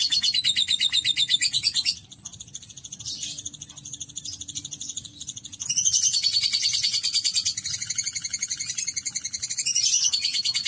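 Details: Domestic lovebird performing the extended 'ngekek' song. A harsh, rapid chatter runs for two seconds, then several quieter seconds with scattered notes follow, then dense, loud, high trilling returns.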